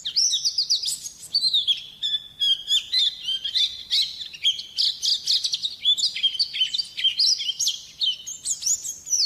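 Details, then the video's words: A loud, prize-level white-eye produces a long rambling warble of high chirps, trills and wavering whistles, steady and dense with only short breaks. "suara burung pleci gacor juara"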